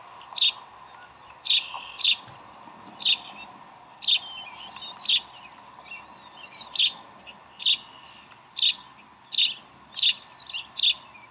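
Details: At the Decorah nest on 11 April 2012, bald eagles call while the chicks are fed. High, staccato chirps repeat roughly every second in a steady series, with thin slurred whistles mixed in between them.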